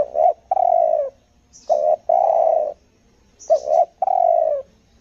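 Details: Spotted dove used for luring wild doves on Lombok, Indonesia, giving its 'selang nguku gagap' song. Three closely spaced phrases of a quick double coo plus a long, falling, husky coo, with brief faint high chirps in the background.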